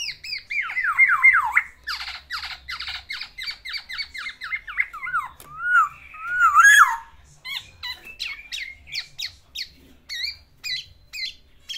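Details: Black-naped oriole kept as a cage bird, singing while courting a female: looping whistled notes, a series of rapid repeated slurs, a couple of louder wavering whistles, then scattered sharp chips.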